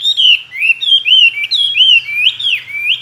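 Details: Tame caged Chinese hwamei, kept two years, mimicking many wild voices, delivers a loud run of clear whistled phrases, sliding up and down in rapid rolling loops with barely a pause between notes.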